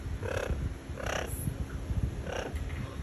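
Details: Amazon parrot at morning breakfast giving three short, harsh, nasal squawks about a second apart, over a constant low rumbling background hum.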